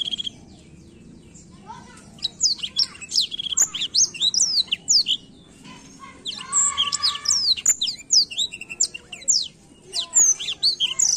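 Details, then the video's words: Black-throated canary in a lively, continuous song of fast, high twittering notes, rolling trills and sweeping whistles over a faint low hum, meant to stimulate and provoke young blackthroats to sing. "Blackthroat gacor ngerol ampuh pancing emosi blackthroat muda"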